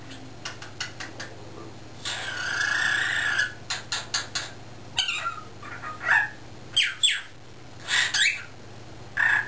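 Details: Caged young male cockatiel, under one year old and starting to talk, with other cockatiels nearby while owners work outside; a long rasping squawk lasting over a second, then clipped chirps and bending whistled calls.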